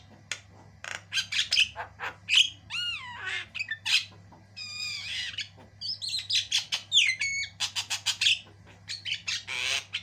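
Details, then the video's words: A white-eyed Javan myna, used as a tutor song for training birds, sings a long, busy, nonstop jumble of harsh squawks, chattering notes and sliding whistles, with a faint low hum underneath. "JALAK KEBO MATA PUTIH GACOR PARAH"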